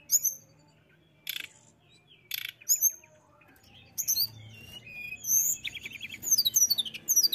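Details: Mountain tailorbird song used to stimulate rival birds to sing: sharp high whistled notes, short buzzy bursts and rapid descending chirp series, growing denser toward the end, over quiet low background hum.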